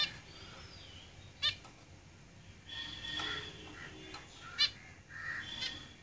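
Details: Zebra finches kept in a cage, producing two loud nasal call notes and softer buzzy chatter between them, over a quiet background.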